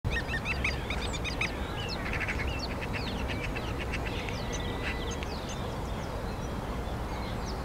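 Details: Common starling singing in spring in Hyde Park, London, UK, April 2016: a dense burst of clicks, buzzy rattles and high chattering notes over the first three seconds, then sparser thin whistles, over a steady low rumble of park background noise.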